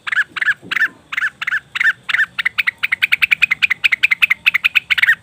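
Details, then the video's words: Leafbird, cucak wilis or rengganis, used as a bird lure: slower harsh, buzzy notes at first, then breaking into a quick, steady stream of sharp chirps, with low background hum. "pancingan burung cucak wilis/rengganis dijamin langsung bunyi"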